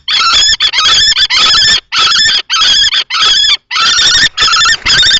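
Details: Inside a nest box at Théding, France, on 20 March 2024, an adult male common kestrel tries to drive off a younger juvenile-plumaged male while a female is present. About nine rough, screeching bursts of uneven length follow closely.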